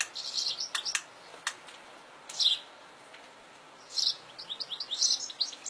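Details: European goldfinch in natural surroundings: scattered bright chirps and short twittering phrases separated by silent gaps, high and tinkling.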